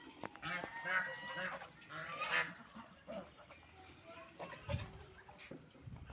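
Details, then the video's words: Ducks eating and drinking, giving two strong nasal honks early on, followed by softer scattered calls and low knocks. "Ducks Eating Food and Drinking Water"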